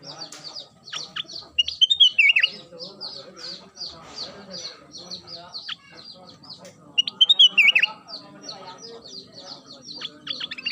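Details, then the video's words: Black-crested bulbul, known locally as kutilang emas, in full daily song: two loud fluty phrases of rising and falling whistles, roughly five seconds apart, set against a continuous patter of high, clipped chirps. "Kicau harian kutilang emas gacor"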